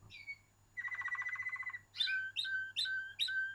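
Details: Waterslager canary singing: a brief whistle, a rolling pulsed trill, then four repeated sharp falling whistled notes each ending in a drawn-out tone, over a faint low hum.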